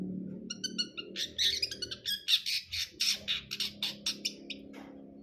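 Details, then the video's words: Long-tailed shrike, brundol type, chattering quickly: dense harsh rasps and squawks in a rhythmic run of about three per second, with a faint low hum. "KICAUAN CENDET BRUNDOL"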